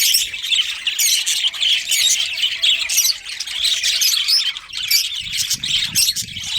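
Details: Colony of budgerigars, a breeding pair among them, giving nonstop high chirping and raspy chatter; many birds call over one another, with a faint steady hum in the background.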